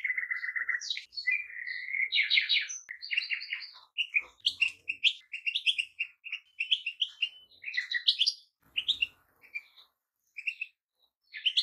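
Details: Goldfinches sing a long, lively jumble of twitters, buzzy rattles and clear chirped phrases that thins into spaced single notes toward the end.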